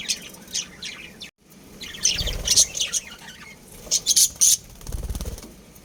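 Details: Breeding pair of budgerigars chirping: bursts of sharp, high twittering notes in quick, irregular clusters, several loud chirps close together near the end, a brief silent gap early on and soft low rustling beneath.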